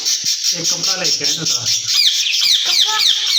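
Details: A low human voice is heard briefly at first, then two caged ringneck parrots take over with fast, scratchy, repeated down-slurred squawks as they talk to each other.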